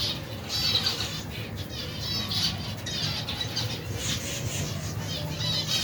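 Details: Feeding colony of more than 120 finch pairs and their young in cold weather; a continuous chorus of bright, harmonic chirps and short trills from many birds over a constant low hum.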